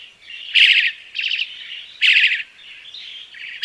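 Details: Crested myna song made of loud rasping bursts roughly every one and a half seconds, linked by softer buzzy, chattering notes.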